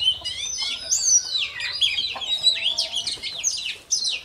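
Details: Newly caught (bổi) Oriental magpie-robin singing to warm up its voice in the morning: a dense, fast run of varied whistled notes, sliding up and down with sharp chirps, almost without pause.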